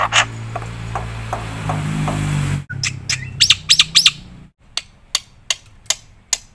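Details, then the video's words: Energetic song of a black-winged myna, meant for prompting and tutoring: a noisy, muffled start, then a run of bright clipped chirps, a short gap and evenly spaced sharp notes. "suara burung jalak putih gacor full isian PATEN untuk pancingan dan masteran"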